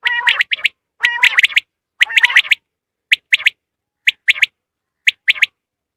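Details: Common quail call used to draw birds in for hunting: crisp, high notes in pairs and triplets, about one group per second, with a few buzzy, harmonic notes at the start.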